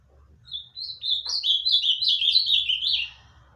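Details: A pet ultramarine grosbeak (azulão) from Olinda, Pernambuco, Brazil, gives one rich, warbled phrase of about two and a half seconds, with quick rising and falling whistled notes. A faint low hum runs underneath.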